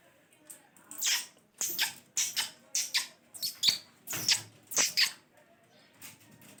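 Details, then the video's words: Pet parrot making harsh, hissy squawks and chatter, about ten rough bursts in quick, uneven succession over low room noise. "My Favorite parrots Talking amazing sounds different voices of parrots"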